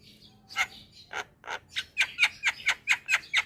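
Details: Javan myna calling with rough, noisy notes that speed up into an evenly spaced series of short harsh chirps, about four per second, over a faint low hum.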